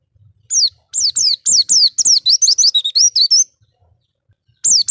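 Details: Lure song of an Oriental white-eye meant to attract other birds: a lively run of high, sharply down-slurred whistled notes, closely spaced for over two seconds, then a pause and another note.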